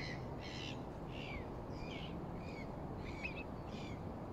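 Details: Moorhens calling at a pool near Six Crowns Wood, Fenton, Stoke on Trent, England, recorded on a phone in mid-December 2021. Brief harsh calls repeat several times a second or so apart, over constant low-pitched background rumble.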